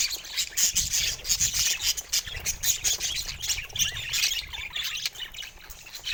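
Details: Budgies chattering without pause: rapid, scratchy high squawks and chirps overlapping in a continuous warble, fairly loud and with only a faint low hum behind them.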